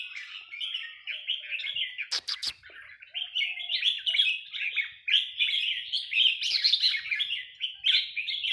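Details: Nap dok phrase-counting song from a red-whiskered bulbul of Burmese line: a long stream of quick chirped and warbled notes, broken early by three sharp clicks, then resuming with rising, more intense bursts.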